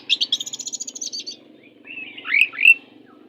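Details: Oriental magpie-robin in fierce song, offered as a tutor for magpie-robins that sing without persistence: a fast rattling chatter of about a second, a pause, then swooping whistled phrases ending on a clear high note.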